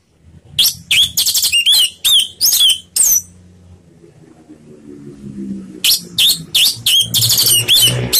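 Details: Orange-headed thrush in slow "ngeplong" song, played as a lure to get other birds singing: rapid series of sharp, high, slurred whistled notes in two bursts, with a faint low hum between.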